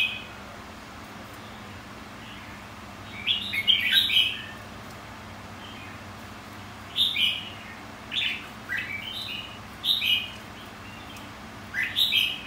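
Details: Red-whiskered bulbul song played to provoke contest singing: after a quiet start, lively chirped phrases come in clusters, several short rising and falling notes grouped together, with gaps of a few seconds.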